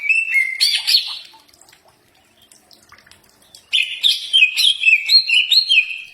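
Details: Common iora: a first burst of rich, slurred whistles, a pause of near silence, then a lively series of repeated see-sawing whistled notes.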